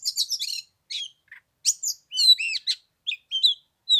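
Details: Oriental magpie-robin, third day of Tet in 15-degree chill, sound played to bring a bird down to fight: a rapid scratchy chatter opens, then varied whistled and looping notes in loose phrases.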